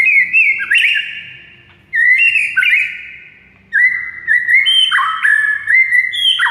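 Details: White-rumped shama in full song, recorded as a training model for non-singing shamas: three bursts of loud, sliding whistled notes, each decaying into silence, the last burst longer with rising and dropping phrases.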